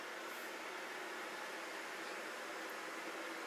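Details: Only a steady broadband hiss like a fan or machinery is heard, with no animal calls.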